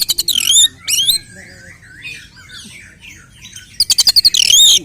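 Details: Fighting song of an oriental magpie-robin, meant to rouse other males: sharp rapid trills and looping whistles open and close the clip, with fainter lower warbling notes in between.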